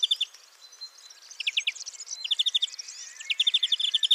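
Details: European greenfinch singing: quick trilled bursts of bright notes, short rattling series separated by brief gaps, with a thin higher twittering above.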